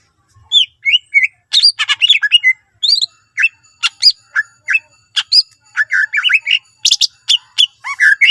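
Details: Greater green leafbird (cucak ijo) singing energetically with a full, varied repertoire meant to prompt other leafbirds to sing: quick sequences of clear, rising and falling whistles, sharp chips and short trills, steady and unbroken.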